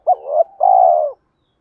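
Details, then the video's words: A single spotted dove fighting-coo phrase, played to attract wild doves when trapping: an abrupt rising note, a swelling wavering middle, a brief dip, then a sustained strong coo fading downward. "tiếng cu gáy Thúc Đấu bổi nghe nhanh gáy và nhanh về cội khi đi gài"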